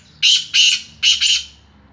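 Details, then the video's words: Black francolin (Sindhi kala teetar) giving its harsh grating call: four loud, rasping, buzzy bursts in two pairs, each about a quarter second, within under two seconds, close and clear. "Sindhi Kala Teetar Speaking || Black Teetar"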